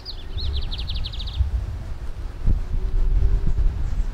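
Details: Wild lined seedeater (bigodinho) from Brazil, singing in 'metralhando' style: a brief, quick run of about a dozen high, bouncing notes in the first second and a half. Louder low rustling and thumps continue afterwards.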